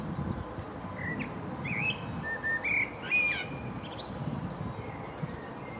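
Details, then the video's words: Male common blackbird singing in Berlin, Germany, in April 2015: low, mellow fluted phrases around the middle register, each ending in higher thin squeaky twitters, with a steady low background rumble. "Kos, mužjak (Turdus merula) (Blackbird, male)"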